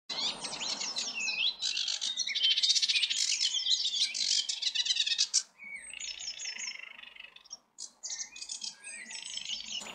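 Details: An unseen, newly arrived male Sedge warbler sings from deep scrub at Toad Holes Beck, Oakenshaw, Bradford, in early May. It delivers fast chattering harsh churrs, sweet whistles and scratchy mimicry, unbroken for seconds before brief pauses.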